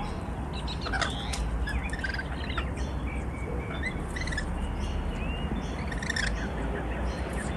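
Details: Rainbow lorikeets, wild birds that visit a Melbourne balcony in Australia, chatter noisily: shrill, scratchy screeches and short squeaks scattered through the clip against steady outdoor noise.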